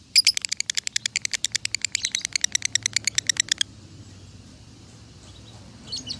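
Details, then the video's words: Konslet-style lovebird song from Salatiga, Indonesia, used as a training tutor for other birds, scoring 8400 points in contest: a burst of bright, high, clipped chirps strung into a quick run for over three seconds before quiet, with a faint chirp at the end. "Masteran Lovebird Konslet ASLI"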